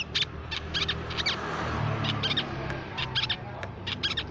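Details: Crimson sunbird song used to lure songbirds: scattered groups of thin, high chirps amid a noisy, hissing background, coming in small bursts with short pauses.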